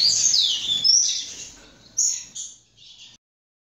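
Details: A young captive-bred double-collared seedeater sings a brief phrase. It opens with sharp, high whistled notes and slurred sweeps, followed by two short separate high notes before falling silent.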